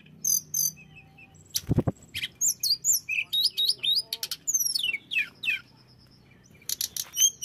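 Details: Varied flycatcher song meant to make other flycatchers aggressive: sharp high chips, steeply sweeping whistles and tumbling rapid phrases, with a short low thud early on and a quiet gap before final chatter.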